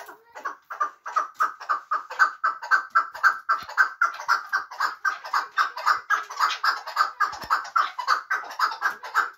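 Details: Chukar partridge of Muminobod, a hunting bird, calling in a long steady run of rough, rhythmic chuck notes repeated roughly twice a second without a break.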